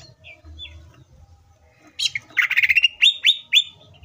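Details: Green leafbird full song, used as a lure to get leafbirds singing and roused: a burst of rich, varied chattering notes, then three or four bright, upslurred whistles in quick succession, over a faint low rumble.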